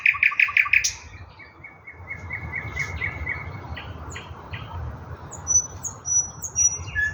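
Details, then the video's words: Thrush nightingale song from Russia opening with a rapid pulsed trill, followed by a chain of short repeated notes and scattered thin high whistles against low background hum. "Nightingale singing Russian соловей восточный"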